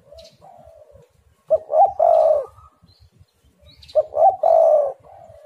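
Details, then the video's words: Spotted dove song used to lure other doves: a soft opening hoot, then two loud, husky coo phrases about two and a half seconds apart, each made of quick stuttered notes and a drawn-out final coo. "derkuku super gacor suara angin Topan"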